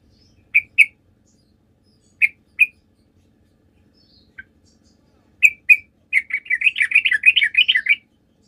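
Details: Sooty-headed bulbul song used as a lure to make other birds answer: three bursts of paired sharp chirps separated by pauses, then a fast, jumbled chattering run of rising and falling notes at the end. Otherwise quiet.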